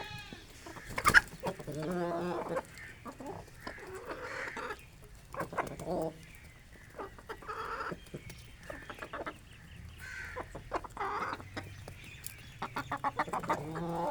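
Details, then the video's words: Aseel rooster and hens at a village morning feeding, eating grain: soft broken clucks and short harmonic calls scattered through, with one loud sharp burst near the start, plus faint background bird chirps. "Aseel Rooster & Hens Morning Feeding || Natural Sounds of Village Life"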